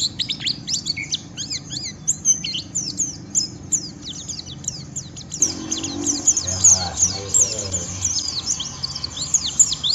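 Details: A white-eye sings rough, rapid twittering ("ngeriwik") of high, thin chirps and slurred notes, provoking rivals to sing along, with faint murmuring and low sounds in the background.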